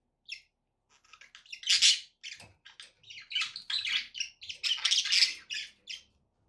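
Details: A few soft chirps open, then pet budgerigars break into loud, fast warbling chatter of harsh chirrups and squeaky notes that runs almost unbroken to the end.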